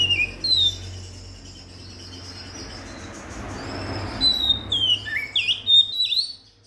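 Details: Lure song of an Oriental magpie-robin, meant to prompt other magpie-robins to sing: bright whistled sweeps and slurs, opening notes, a quiet pause, then a rapid run of varied high whistles near the end over low rumble.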